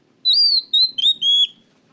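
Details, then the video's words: Oriental magpie-robin (kacer) singing actively with a loud, clear voice, used as a lure to prompt other kacer to sing: four loud, pure whistled notes, each slightly lower than the last, over about one second. "pancingan Kacer gacor suara keras plong"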